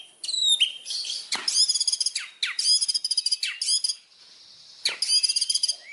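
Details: Indonesian white-rumped shama singing: bursts of high, buzzy, rapidly pulsed notes and sharp downward sweeps, broken by short pauses and a brief faint hiss.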